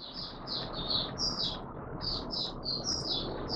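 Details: Oriental white-eye in open singing, 24 March 2022: a string of high, thin, slurred chirps in quick succession, fainter and set against a steady low rumbling background.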